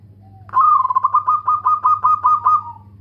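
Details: Local zebra dove singing actively with a loud voice and good rhythm: a faint introductory note, then a long pulsing run of about ten rhythmic coos at an even pitch, ending in a softer fading note, over a steady low hum.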